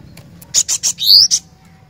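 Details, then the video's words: Lively cinereous tit singing one phrase: three quick, sharp, high ticks, then a clear upward-sliding whistle and one last tick. Faint murmur in the background. "Kicauan Glatik Batu Gacor"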